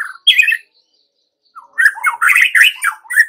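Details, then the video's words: White-rumped shama song used as a lure for young wild-caught and pastol shamas: varied bursts of chirpy, squawky notes, a brief phrase then a pause, followed by a busy run of rapid warbled and scratchy notes. "Pancingan Murai Batu MUDA HUTAN dan PASTOL agar GACOR NGEPLONG"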